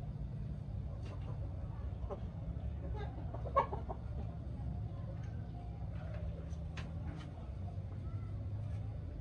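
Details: Chickens inspecting fresh coops make sparse, short clucks and chips spread across several seconds, with one sharper knock, beneath a continuous low-pitched hum.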